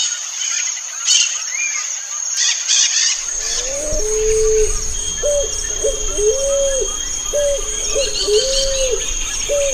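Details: A European turtle dove (Streptopelia turtur) gives low, soft, rolling coos, repeated roughly once a second, over a steady high insect hum and faint background chirps.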